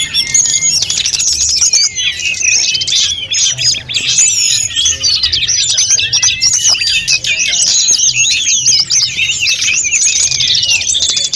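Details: Long, busy stretch of snowy-browed flycatcher song used to train other birds. High whistled slurs and rapid chattering notes crowd together continuously for over ten seconds, with a faint low background hum.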